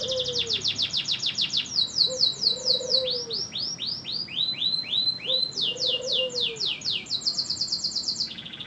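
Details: Energetic 'gacor' canary song for tutoring songbirds: rapid high chattering notes, then loud looping down-slurred whistles repeated about twice a second, another burst of quick sweeps, and a brief buzzy close, with soft low arched notes underneath.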